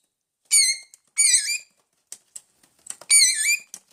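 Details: Hungry pet parrots in a room giving three long, buzzy, wavering squawks with soft clicks between them.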